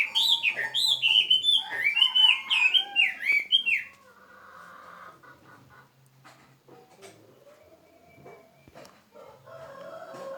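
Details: A kept bird singing: about four seconds of loud, clear whistled notes that rise and fall, delivered in quick bursts several times a second, followed by quieter scattered chirps and low background noise.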